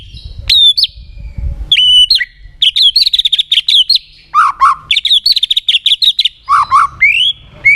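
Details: White-rumped shama singing strongly, used to prompt other shamas to sing along: loud clear whistles, rising sweeps and rapid scratchy stuttered notes in quick bursts, with lower fluty notes between.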